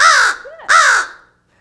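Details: A captive American Crow in Connecticut, kept in rehabilitation since a hawk seized him as a 2-week-old nestling, gives two loud, harsh caws about two-thirds of a second apart, hoarse and slightly rising then falling, in a quiet indoor room.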